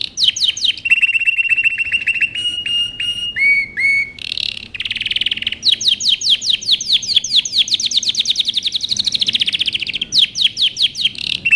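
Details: Canary training song: a steady whistled tone near the start, then stuttering metallic notes, a brief buzzy burst, and long fast rolling trills of rapidly repeated chips that rise and fall, all loud and clean.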